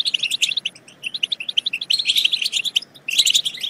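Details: European goldfinch song used to stimulate goldfinches to sing and mate: rapid, high twittering of short chirps and trills, briefly pausing near the third second before a dense burst of bright notes resumes.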